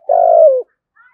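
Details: Spotted dove contest call and coo, in the native-voice style, used as a lure to draw a wild bird in for trapping; a single low, steady, slightly falling coo lasting about half a second, then a faint brief note.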